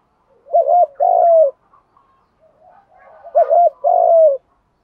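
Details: Spotted doves, cock and hen, cooing to excite decoy birds; two clean phrases roughly three seconds apart, each a fast double coo and a long falling note, over a quiet background.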